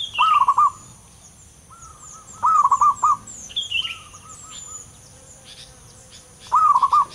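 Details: Wild local zebra dove singing, described as deep and long rolling: soft, fluttering cooing phrases of quick trilled notes, repeated every two to four seconds, with fainter coos between, high insect or bird chirps and a steady background hiss.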